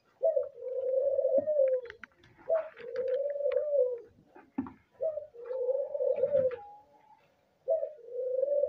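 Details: An albino dove gives breeding calls: long, low, steady coos, each held one to two seconds, repeated four times with short gaps, with faint background clatter.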